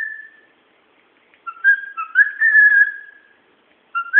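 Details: Pet bird whistling away indoors: a steady clear whistle, then after a pause a warbling run of rising and wavering whistled notes, and a fresh whistled phrase starting at the end; quiet room, no other sounds.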